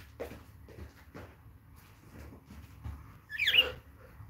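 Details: Inside a home, one of a pair of caged budgerigars, a male and his mother, lets out a single bright, wavering chirp late on, after soft shuffling and light tapping noises.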